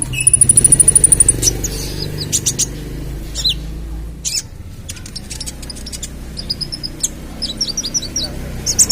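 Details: Ruby-cheeked sunbird, 'trotol' stage, singing a full song used to lure other birds: it opens with a rapid, very high ticking trill of about a dozen notes, then jumbled high chirps and squeaky flicks over low hum.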